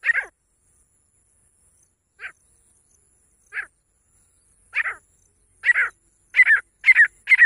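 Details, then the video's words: Female grey francolin with sparse, hoarse notes at first, several seconds apart. They then gather pace into louder, closely spaced paired notes that sound increasingly urgent toward the close. "Best female teetar ki awaaz grey francolin voice"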